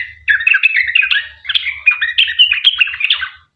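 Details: Active sooty-headed bulbul in long 'ropel' song, meant to prompt other bulbuls to call back. A fast run of warbling, squeaky and whistled notes, with soft low pulsing sounds beneath.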